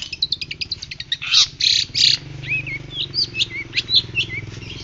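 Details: Pentet laut dada putih, a white-breasted shrike, in lively song used for training. Fast ticking chatter, then loud harsh bursts and looping whistled notes, with a steady low hum beneath.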